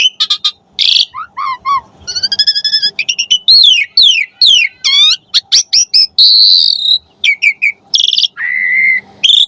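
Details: Varied, energetic song of an Asian pied starling for tutoring other starlings: fast stuttering note series, looping whistled slurs, a sustained high buzzy phrase and a lower steady whistle, with almost no pauses.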